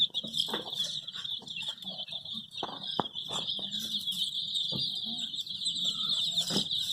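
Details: A brood of multicoloured dyed baby chicks, seemingly looking for their mother, peeping nonstop in a dense chorus of high, thin, overlapping cheeps, with a few low clucks and soft rustling underneath.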